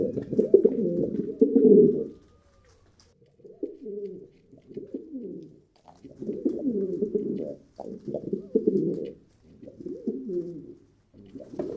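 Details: Pigeons cooing, low throaty hooting phrases in bursts, a loud two-second opening then shorter broken coos with brief silences between.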